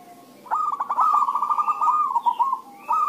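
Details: A zebra dove's rapid stuttering coo phrase, opening with staccato notes and rolling into a continuous bubbling trill, part of an exchange of calls meant to get other doves singing.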